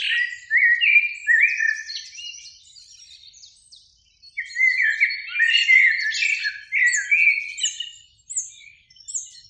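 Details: Eurasian blackbird, one of two singing from a beech tree beside a lake on a spring evening, delivers repeated flute-like warbling phrases, each trailing into squeaky high twitters, with a brief gap midway.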